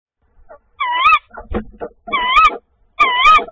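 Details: Tawny owl at the nest on 25 February 2024, during the second prey delivery: three loud wavering, tremulous notes about a second apart, with soft clicks and rustling between them.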